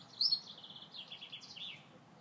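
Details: Gloster canary singing a quick, rolling series of trilled and warbled notes that rise and fall, opening with a single bright chirp, over faint steady background noise.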